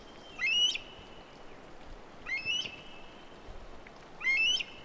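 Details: A Himalayan monal in Rara National Park, Nepal, gives three short, rising whistled calls about two seconds apart over a steady hiss of background noise.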